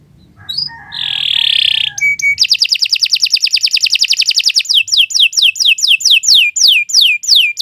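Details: Canary in long continuous gacor song for training other birds: a buzzy note, then a fast even trill of rapid repeated notes, changing to a slower series of loud descending sweeps, about two per second.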